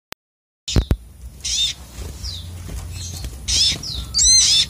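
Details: Sunbird (sogok otong), a raging-style song: bursts of shrill, high, buzzy notes and thin descending whistles, separated by short pauses, after a brief silent opening with two sharp clicks, over low background rumble.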